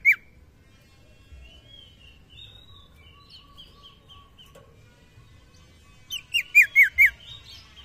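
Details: Common iora calling females: one sharp downslurred note, a long stretch of faint, thin whistles, then a closing burst of four loud, harsh descending notes in rapid series.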